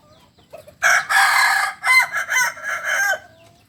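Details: Kukuak Balenggek cock from Solok giving a long, loud crow: a short lead-in note, then a sustained, rich phrase breaking into a chain of quick stepped syllables before ending in a falling tail.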